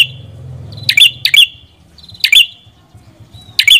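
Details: Red-headed prinia (prenjak kepala merah) calling with bright, ringing chips, a close pair followed by single notes, over a low humming background.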